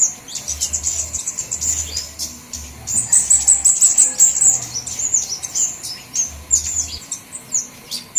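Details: Flowerpeckers calling in a lure recording of mixed kinds: piercing high chips and short, buzzy, trilled bursts, loudest in the middle, above a pulsing low hum.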